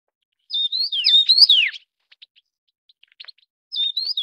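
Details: Taiwan yuhina (Yuhina brunneiceps), a Taiwan endemic, calls while feeding chicks: a quick run of bright, slurred whistled notes that rise and fall, then softer scattered chips and another whistled phrase.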